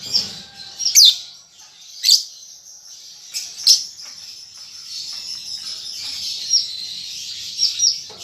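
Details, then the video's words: A juvenile lovebird practising its chattering: sharp high squeaky chirps and brief buzzy bursts repeated irregularly over a steady high-pitched twittering wash, with a few quieter notes toward the end. "Lovebird Paud Baby Balibu Muda Belajar Ngetik Ngekek"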